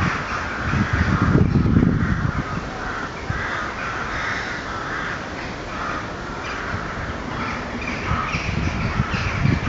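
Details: Crows cawing at night, a sound described as eerie: a steady run of harsh, hoarse caws overlapping one another, over a rumbling low background noise that swells near the start and end.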